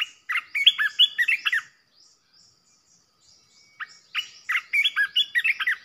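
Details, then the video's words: A red-whiskered bulbul sings as a decoy to provoke rival bulbuls: two rapid, bubbling phrases of eight to ten sharp whistled chirps each, separated by roughly two seconds of near silence. "เสียงนกกรงตาแดงEp.16 Birds sounds เสียงต่อนกกรงตาแดงตัวดุๆ"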